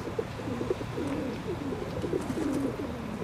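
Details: Ring-necked duck giving soft, low whistled notes in quick succession, short rising and falling inflections, against constant low-pitched background noise.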